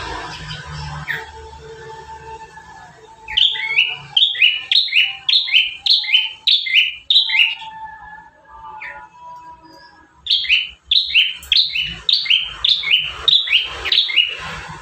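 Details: Lively master song of the bar-winged prinia, one of five variations for training caged birds: after a quiet start with faint low tones, a long rapid series of high flicked whistles, about two per second, pauses briefly, then resumes.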